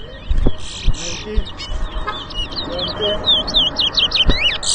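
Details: Contest bird at Rosehall Town, Guyana, 2022: a towa towa (large-billed seed finch) pours out sweet rising and falling whistles and brief buzzy notes, with murmured talk in the background.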